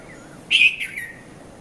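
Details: Red-vented bulbul, the Konda Kurulla, at Mount Lavinia, Sri Lanka, around 5:30 a.m.; one loud chirp sliding downward into a softer trailing note, with faint hiss behind.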